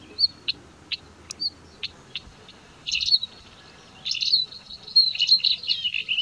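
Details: Northern wheatear on high ground in broom scrubland, sharing its habitat with a male Spanish ibex; sharp, high isolated chirps spaced about half a second apart, then bursts of scratchy, jumbled warbling phrases.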